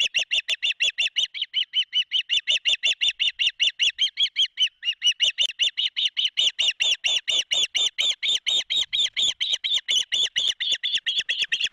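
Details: Nearly twelve seconds of unbroken, fast, piercing chirps from an Osprey at a nest in Charlo, Montana, 16 June 2024. The male has arrived with a large fish and the female is feeding three chicks.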